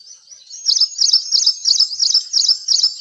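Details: Ashy Prinia calling from India: a rapid run of sharp, high chirped notes, about three per second, steady and evenly spaced after a brief quiet start, over a faint thin high hiss.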